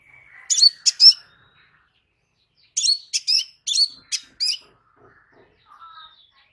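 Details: Crimson sunbird (kolibri sepah raja): high, thin chirping notes in two quick bursts, a short cluster of three then a longer run of about five sharp twittering notes, with near silence between.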